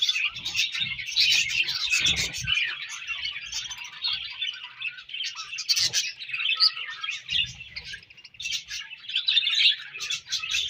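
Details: Group of budgerigars, breeding season, producing continuous squeaky chirps and chattering warbles, with soft low thumps and movement noises scattered throughout.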